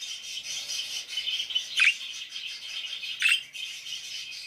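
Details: Parakeets chirping: a dense, steady chatter of high twittering, with two louder sharp chirps standing out, one near the middle and one toward the end.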